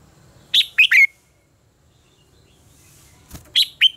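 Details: Red-whiskered bulbul in contest singing, offered as a lure recording for training: a bright three-note phrase falling to a whistled close. After a quiet gap come a soft click and the start of another cheery phrase.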